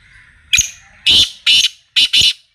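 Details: Black francolin (kala tetar) calling on a fresh morning, Friday 10 February 2025: five loud, harsh, grating notes, a single note followed by two quick pairs, high-pitched and rasping, with a quiet background.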